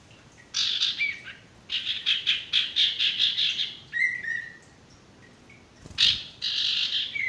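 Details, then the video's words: Sirtu cock in song, meant for tutoring new or stalled birds: fast pulsed chattering phrases, a clear falling whistle, a quiet pause, then another loud burst of chatter. "masteran burung sirtu bakalan maupun stres macet"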